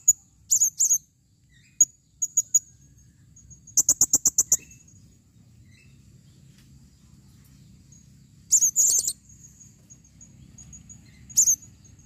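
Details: Female blue-crowned hanging parrot calling: sharp, very high-pitched chirps in short bursts, including a quick rapid series of about seven ticking notes, spaced irregularly over quiet low background hum.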